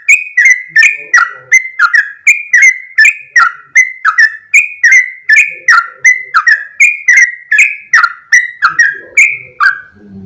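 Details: Sooty-headed bulbul in full, continuous rapid song: a steady string of bright, bubbly whistled notes, each starting with a click and sliding downward, alternating slightly higher and lower phrases; faint low background murmur near the end.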